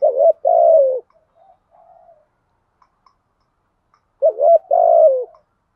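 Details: A decoy spotted dove coos to lure wild doves. A short throaty note leads into a long, drawn-out descending coo, and a faint soft murmur follows. After about three seconds of silence the same two-part phrase returns.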